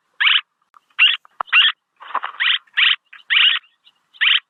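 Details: Swallow calls recorded for use as a lure: harsh, buzzy chirps in short bursts of about a quarter second, repeated irregularly, with a few faint ticks and a brief scratchy noise between them.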